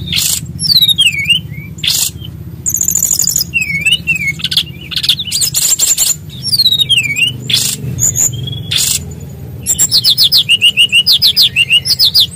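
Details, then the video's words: A small, loud-voiced bird delivering a rich rolling song full of variety: dipping whistled slurs, harsh buzzy bursts and rapid high trilled runs, with low music playing underneath throughout. "SUARA BURUNG KECIL BERSUARA KERAS!!"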